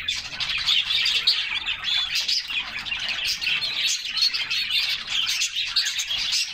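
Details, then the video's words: Summer bathing canaries, several birds singing together amid splashes; lively overlapping trills and chirps with scattered short whistles, the chorus busy and unbroken. "Summer Serenade: Canaries Singing and Splashing in a Refreshing Bath"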